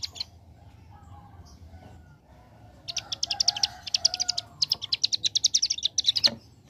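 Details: Young bar-winged prinia singing actively in the rapid 'ngebren' (AK47) style: after a quiet start, dense buzzy high trills in fast bursts, stuttering like machine-gun fire, with brief pauses between runs.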